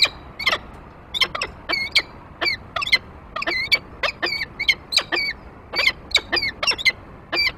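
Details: Male peregrine falcon landing at the nest with prey, female coming after him; bursts of harsh chattering and wailing, wavering squeals, repeated steadily throughout.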